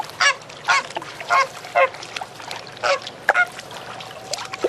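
Flamingos giving nasal, goose-like honks, about eight harsh calls in under five seconds at an uneven pace, with fainter calls from others in the background.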